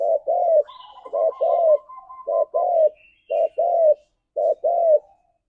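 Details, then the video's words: Spotted dove giving a run of low, rounded paired coos, a short note then a longer drawn one, repeated about once a second, calling its companions; a faint thin whistle runs behind the first half. "Suara Burung Tekukur Memanggil Temannya"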